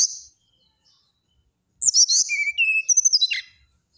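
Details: Brown-chested jungle flycatcher singing a short phrase of bright, high whistles that step down to a steady lower tone, then rise again to a falling slur, after a brief opening note and a pause.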